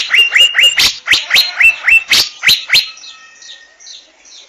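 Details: Asian fairy-bluebird with quick, loud repeated notes, each sweeping up into a brief whistled hook, around four per second for nearly three seconds, then trailing off into quieter faint chirps.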